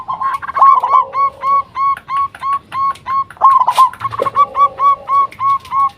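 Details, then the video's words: Local zebra dove, a vocal bird used as a lure call to make other zebra doves answer. Rapid series of short, clipped cooing notes about three per second, broken by a lower rolling trill, with faint background noise. "Perkutut Lokal Gacor RAJA PIKAT Ahlinya Bikin Semua Burung Perkutut Pada Nyaut"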